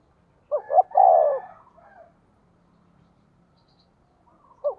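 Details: Spotted dove lure call in the thổ voice style, meant to provoke wild doves; a single softer phrase of two quick notes and a longer coo, then a pause before the next phrase starts.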